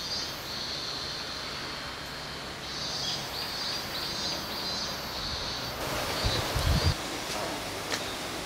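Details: Two kingfishers fighting over territory at Dōhogawa Park give high, thin, shrill piping calls in quick broken runs, over steady rushing background noise with a few low thumps.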